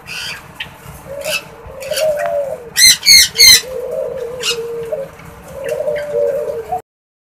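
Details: An F1 hybrid male dove (spotted dove father × pink ring-necked dove mother) gives courtship calls: low, soft, drawn-out coos in three rolling phrases, broken midway by three loud, squeaky bursts, with faint chirps and clicks behind.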